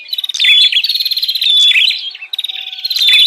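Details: Dense high-pitched chatter of a bar-winged prinia in the noisy lure style used for catching wild prinias, rapid buzzing trills and whistled notes running almost continuously.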